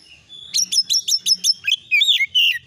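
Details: Oriental magpie-robin lure song to provoke replies: a fast series of seven repeated sharp chirps, followed by looping, warbled whistles.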